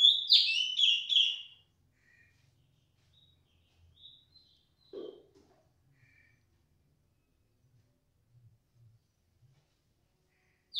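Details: A loud, clear female cungkok gives a brief burst of high, clipped whistled notes at the start. Long near-silence follows, broken by one faint low thud and soft low rustles, before a final call begins.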